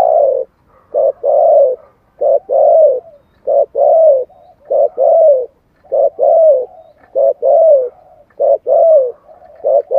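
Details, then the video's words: Spotted dove cooing in the giọng thổ song style used to stir wild doves: low, hollow coos in quick two- and three-note phrases, repeated steadily through the stretch with short silent gaps, nothing else audible. "tiếng chim cu gáy giọng thổ chuẩn kích bổi nhanh nổi"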